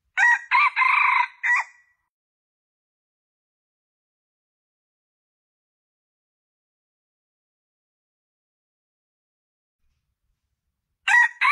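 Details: A male junglefowl lure call gives a harsh, clipped, several-part crow under two seconds; after a long silence a second crow begins as the recording ends; junglefowl.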